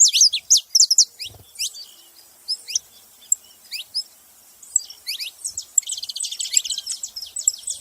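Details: Saffron finch with rapid, high, upward-swept chirps, first in quick bunches and then more spaced. A dense, buzzy, trilling stretch of high notes closes the passage.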